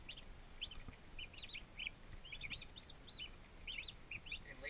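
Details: Quiet recording of twenty turkey poults newly settled in a farm nursery, sending out clusters of high arched whistles and double peeps over low background hiss.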